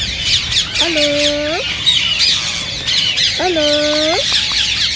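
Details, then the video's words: Rose-ringed parakeet sounds used to stimulate others to sing and mate: two drawn-out, nasal, harmonic calls about two and a half seconds apart, over constant shrill, high-pitched chattering from many birds. "ببغاء الدره تحفيز رهيب رهيب"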